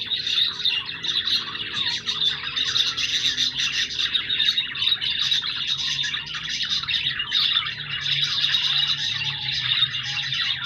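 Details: Budgerigars kept as pets keep up a lively, unbroken twitter of shrill chirps, squawks and warbled notes, with a faint low hum in the room.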